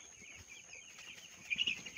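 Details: Young broiler chicks raised on a farm, their high thin peeps blending into a soft continuous chorus that swells into a brief cluster of louder, sharper cheeps near the end.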